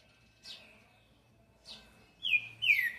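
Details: Green-winged saltator in 'boi' song: two soft descending notes spaced about a second apart, then two loud, ringing falling whistles close together at the end.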